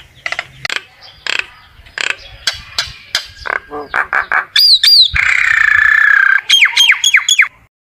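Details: Common myna song meant to gather the flock: scattered harsh chattering notes, then a burst of bright falling whistles, a sustained buzzy rasp, and a fast series of downward-swooping whistles.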